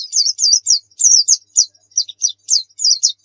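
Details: Nembak-style white-eye song for luring: short high twittered phrases, each a quick falling slur, spaced roughly every quarter second in an even rhythm.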